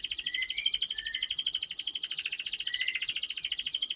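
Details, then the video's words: Canary lure song for young canaries, quieter and slightly distant: a dense high continuous trill with lower whistled slurs woven in, over faint background noise. "Pancingan Kenari Paud Agar Cepat Bunyi || MASTERAN Burung KENARI Gacor Panjang"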